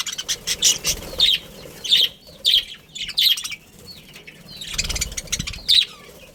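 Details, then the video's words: Budgies in a family group give rapid, scratchy chirps, scattered in quick bursts with uneven gaps, plus a few soft low thumps in the background. "Cute Budgies Chirping Sounds"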